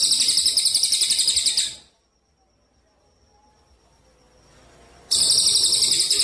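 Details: Contest-training master of a gereja cililin kapas tembak sparrow: dense, buzzy high trill repeated quickly for nearly two seconds, a three-second pause with faint background hum, then the trill bursts in again.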